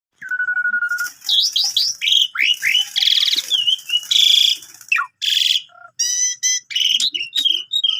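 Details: Javan pied starling in full song, used as a five o'clock lure and a tutor for canaries: a long flat whistle opens, then a fast run of rising slurred notes, harsh buzzy bursts and bright chattering phrases.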